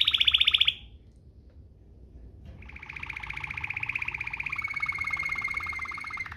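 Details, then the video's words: Canary giving Waterslager-like 'ngerol' rolls for training other canaries: a loud rapid high roll breaks off, a short silence follows, then a long even bubbling roll settles into a steady whistled tone. "NGEROL MEWAH ala WATERSLAGER, cocok buat Masteran burung kenari cengkok mewah"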